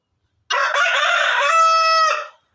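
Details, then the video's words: Rooster delivering one clean, loud crow of about two seconds, rough at first and then settling into a long, steady held note before it fades, with silence around it. "NATURAL ROOSTER 🐓🐔🐔 CROWING COMPILATION"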